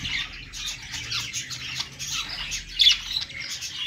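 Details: Pet budgerigars singing on a perch: a dense, continuous chattering warble of scratchy, squeaky notes with short bright chirps, rising in loudness near the end.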